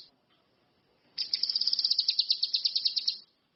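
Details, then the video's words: Orange-headed thrush producing a single loud, fast trill of evenly spaced, high, buzzy notes lasting about two seconds. "SUWARA BURUNG CUCAK KINOI/ RANTI MAS, GACOR"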